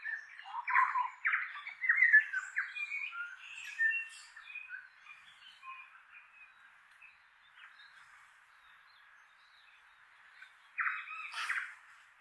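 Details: In autumn in inland Kapiti, New Zealand, a flock of Tui exploring an oak tree gives a jumble of harsh squawks, clicks and bright fluty notes, then fainter chatter, then a loud raspy burst near the end.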